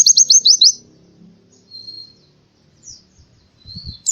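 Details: Oriental white-eye in the morning giving a short burst of fast high repeated notes, then thin soft whistles amid low muffled background noise.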